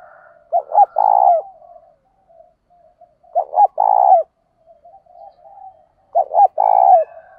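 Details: Spotted dove coos used by trainers to excite wild doves. Three regular phrases come roughly every three seconds. Each is a stuttered pair of short notes and then a long, resonant coo, over light background chirping.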